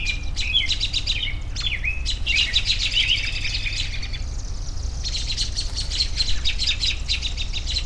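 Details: Birds singing in a relaxing outdoor recording, a couple of falling whistled notes, then dense rapid chattering and trills from several birds, a short pause, and more steady high twittering.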